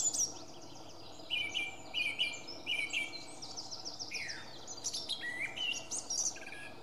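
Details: Song thrush (Turdus philomelos) at Beijershamn, Sweden, on 6 May 2017, sings loud, varied phrases, repeating a short whistled motif three times in quick succession before switching to higher, scratchy notes, against a quiet background.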